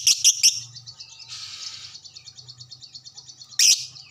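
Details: Lovebird answering a bait call: three quick shrill shrieks, then a buzzy burst followed by a long, evenly pulsed high trill, and another loud shriek near the close.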